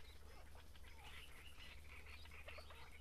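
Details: Great reed warbler recorded at Grachevka during breeding, giving a run of harsh, grating, chattering syllables, fairly quiet against a steady low hum.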